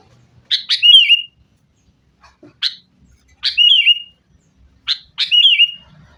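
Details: Sooty-headed bulbul singing in a recording played to get caged birds singing; a sharp chip then a liquid, downslurred whistled phrase, repeated four times roughly every one and a half seconds, otherwise quiet.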